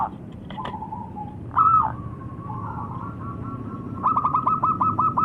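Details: Local zebra dove song: scattered clicks and a short coo, a sustained purring tone, then a rapid even series of sharp stuttered coos toward the end.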